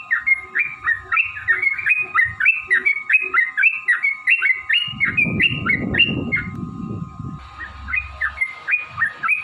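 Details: Yellow-vented bulbul 'ropel panjang' song used to stimulate caged birds: long run of quick, bubbling whistled notes, several each second, with a steady tone throughout and a burst of noise midway.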